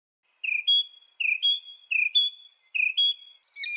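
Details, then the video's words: Northern mockingbird repeating a two-part phrase four times: a low slurred note followed by a higher steady whistle, roughly once per second, with a faint high hiss behind. "northern mockingbird call"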